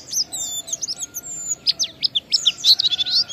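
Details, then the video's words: Oriental white-eye, a kept bird, singing in the ngalas style as a lure to prompt other white-eyes to sing: rapid high twittering chirps and short sweeping whistles in a dense irregular run, with a faint background hum. "Suara Burung PLECI Ngalas sambung wiksar Bongkar Isian memancing semua pleci cepat gacor buka paruh"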